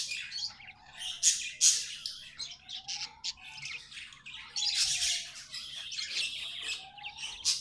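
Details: Pet budgies in a busy, chattering warble, sharp squawky chirps clustered in bursts with short pauses, and a soft low tone sliding up and down beneath them.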